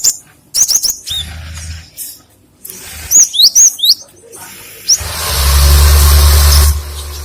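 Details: Cinereous tit, called gelatik batu, gives rapid high whistled notes, some sliding downward, in short clustered phrases, followed by a rush of loud broadband noise.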